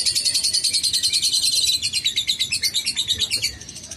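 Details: Lovebird in long ngekek song: a continuous fast chatter of shrill, high, pulsed notes, steady and loud, fading slightly near the end after a brief dip in the middle.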